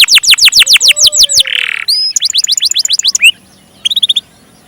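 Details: Canary song with long rolled phrases: a series of slower, loud down-swept notes, a short buzzy rasp, and rising whistled slurs, then a quick chattering run that fades before a brief final burst of notes.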